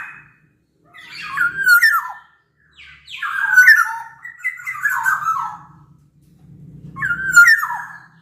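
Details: Song of a Sumbawa black-naped oriole: three clusters of liquid, sliding whistles with nasal, grating undertones, separated by brief pauses, a faint low hum beneath.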